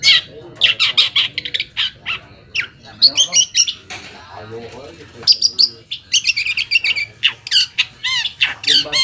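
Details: Lure song of a long-tailed shrike meant to draw answers from other shrikes: rapid harsh chatter and squeaks, a few clear curved whistles and mimicked-sounding chirps, fast irregular delivery throughout.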